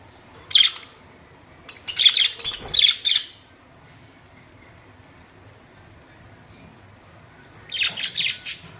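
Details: Pet budgies make clustered bright chirps and squawky twitters in two bursts, separated by several seconds of near silence.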